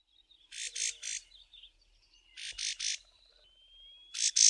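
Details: Karoo prinia in the southern Karoo early one morning giving warning calls at a person walking past its roosting bush: harsh, rasping notes in bursts of three about every 1.5 seconds, with faint thin whistles between.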